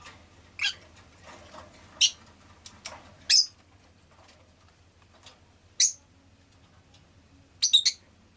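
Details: Pet rosy-faced lovebird chirping with loud, piercing high squawks spaced irregularly, some doubled or clustered near the end, with softer clicks and a faint low hum behind; street noise from vehicles is said to be present.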